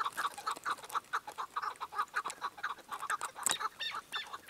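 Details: Chukar partridge repeating loud, clucking chuck notes in a steady rhythm of roughly two per second, with a sharp click partway through.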